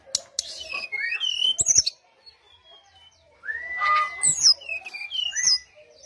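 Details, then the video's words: Brown-chested jungle flycatcher lure song for calling in rivals: a cluster of high slurred whistles and chips, a brief near-silent gap, then another run of bright descending whistles. "SRDC Sikatan Rimba Dada Coklat - Pancingan untuk SRDC lain pasti nyaut"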